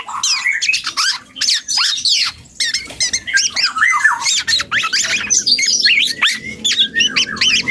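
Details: Young black-and-yellow oriole rehearsing song with rapid rambling chatter of squeaky, scratchy and whistled slurs, nearly continuous with brief pauses.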